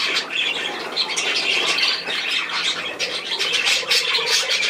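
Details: Budgerigars recorded 10 June 2024 in a brief, dense outburst of chattering warbles and grating squawks, several birds calling at once without a break.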